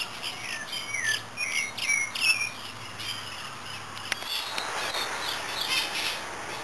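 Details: Red-crested finch (Coryphospingus cucullatus) gives quick, thin, high chirps and short sweeping notes for a few seconds, then fades into a steady insect-like hiss.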